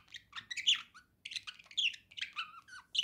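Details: Pet budgerigar singing indoors: a rapid, uneven stream of scratchy chirps, squeaky notes and brief whistled slurs, warbling almost without pause for three seconds, with one short gap near the middle.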